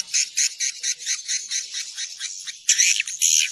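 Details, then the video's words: Swiftlets give dry, buzzy, high rasping chirps in a quick run of about two per second, the chatter growing louder near the end; a call played to lure swiftlets to roost in buildings. "Suara panggil burung wallet menginap"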